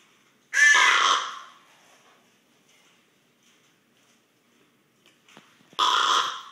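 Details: A common raven snoring while sleeping, heard at close range: two loud, rough, hissing rasps about five seconds apart, with faint soft noises between.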